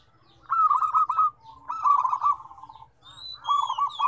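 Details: A zebra dove (Geopelia striata) coos in soft, rolling, slightly trilled phrases around one pitch, three bursts in four seconds, with faint higher chirps of other birds behind.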